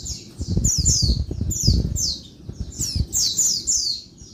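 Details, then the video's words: Female Oriental white-eye giving noisy daytime calls meant to stir males into singing: bursts of high, thin, downslurred chirps in quick clusters, over heavy low thumping and handling noise. "Bird Pleci Betina Suara Ribut bikin Bird Jantan Gacor (siang)"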